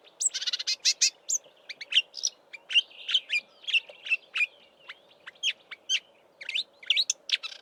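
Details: Marsh warbler singing from roadside bush in Eastern Cape, South Africa, in March before migrating north, constantly mimicking southern African birds; rapid varied medley of sharp chips, buzzy trills and high whistled notes in quick changing phrases.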